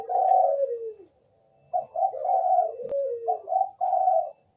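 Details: Bangkok zebra dove lure song for drawing replies from other doves; a drawn-out falling coo, a pause, then a string of short soft cooing notes and a lower gliding note.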